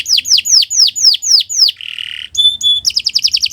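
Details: Canary singing a model song for other birds: slurred descending notes repeated about four times a second, a low buzzy rattle, two pure whistles, then a quick high trill.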